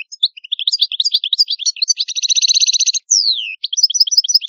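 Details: Continuous bright goldfinch song from an Italian cardellino: jumbled twittering notes, a rapid buzzy trill, a clear descending slurred whistle, then more quick tinkling chirps, with no other sound.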